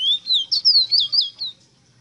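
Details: Rosita bird singing a phrase of about seven clear whistled notes that swoop up and down, each sliding note quick and sweet, delivered within a second and a half before falling silent.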